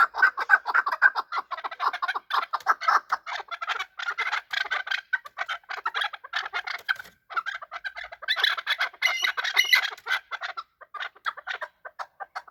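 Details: Chukar partridges fighting, giving harsh, rapid clucking and chattering calls in dense overlapping bursts, agitated and uneven, with a louder flurry partway through.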